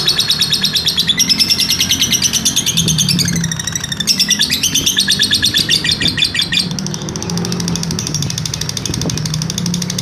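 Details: Lovebird giving an extended ngekek trill for use as a master recording: continuous rapid high chattering with shifting, wavering notes over ten seconds, a low droning hum in the background.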